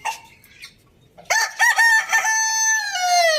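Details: Morning crow of a rooster, after a quiet start with faint background clucks: loud, abrupt onset, a few choppy syllables, then a sustained strong tone that falls slightly at the end.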